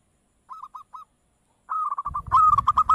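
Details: Perkutut, or zebra dove, gives three short separate coos, then a fast continuous run of trilled cooing notes. A low thudding rumble joins partway through.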